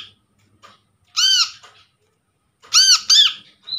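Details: Lure recording of a wild-trapped brown-throated sunbird (kolibri kelapa), meant to get a quiet bird calling. One rasping arched squawk, a pause, then a rapid doubled squawk, with faint clicks between.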